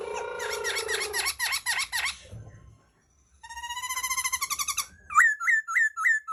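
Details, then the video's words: Laughingthrush (khướu) song of varied phrases: a dense run of rapid repeated warbled notes, a pause, a rising series of quick trills, then sharp upslurred whistles repeated about twice a second. "tiếng chim khướu hót"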